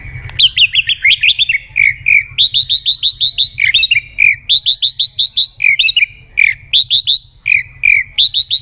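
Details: Murai batu (white-rumped shama) singing steadily in a lure recording with sharp fills: fast, ringing trills of high whistled notes in repeated bursts, broken by brief slurred lower notes. The singing is almost continuous.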